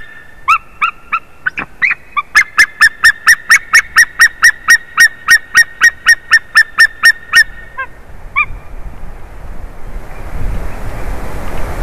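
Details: A White-tailed eagle gives a long series of about twenty sharp, yelping notes, speeding up in a steady run, then tails off, followed by a rushing wind-like noise; recorded in Latvia on 30 March 2019 at 14:43, at a favourite tree.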